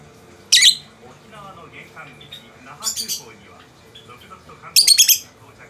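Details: A peach-faced lovebird and a yellow-collared lovebird, kept as pets, answer each other with three separate bursts of piercing, rasping shrieks. A Japanese news broadcast plays softly in the background.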